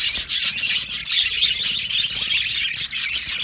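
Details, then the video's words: Colony of Australian budgerigars in an aviary singing and chirping together: a dense, unbroken wash of high, squeaky chirps and warbling chatter from many overlapping birds, with no other clear sounds. "Budgie singing and chirping sounds"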